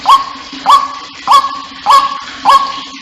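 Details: White-breasted waterhen call, used to lure waterhens to gather: five loud, harsh notes, each rising briefly and then holding a steady croaking tone, repeated about every 0.6 seconds, with a faint steady hum beneath.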